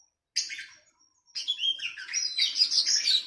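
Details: Captive-bird training song of the kacer, or oriental magpie-robin, against a kutilang (sooty-headed bulbul): one short chirpy burst, a second of silence, then a continuous stream of fast varied whistles and twitters.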